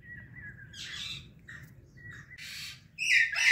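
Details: Morning calls from a pet Indian ringneck and Alexandrine parrot pair: a thin, steady whistle, then scratchy broadband chirps, ending in a loud, harsh squawk.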